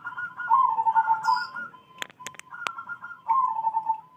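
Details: Morning song of a zebra dove, with repeated rolling, burbling coos in a mid-pitched whistled tone, separated by a level hum-like note and a few sharp clicks in the middle.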